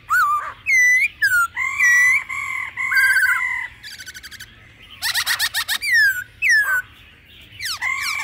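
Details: Laughingthrush song in a mature wild-style voice, mixed with female calls to stimulate birds: varied loud whistles and slurs, sustained double-toned notes, a rapid clicking rattle, and sharp downward whistles repeated near the end.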